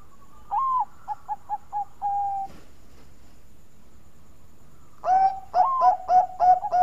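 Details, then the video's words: Zebra dove of the Bangkok type, sweet-voiced, cooing as a lure for other birds: a rising note, four quick clipped coos and a held tone, then silence, then a bright burst of rapid ringing coos ending on steady notes. "Burung Perkutut Bangkok Suara Merdu Bikin Pancingan"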